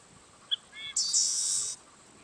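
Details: Yellow-winged blackbird song: a faint short note and a pair of thin whistles, then a loud, harsh, buzzy rasp held for almost a second, ending abruptly, with quiet background.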